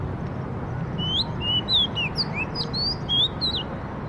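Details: Morning birdsong with a lively series of varied whistled chirps, some rising and some falling, given in quick succession, set against constant low-pitched background noise.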